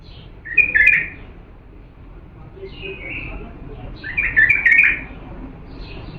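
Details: Diyala bulbul song for training chicks: three separate bubbly warbled phrases, the last loudest and most complex, with quieter high slurred notes between them over a faint hum.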